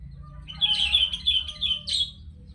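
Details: Sooty-headed bulbul in lively song, a rapid chain of clear, bubbling, slurred whistles repeated in quick succession, ending in a sharp rising flourish, with soft low background hum.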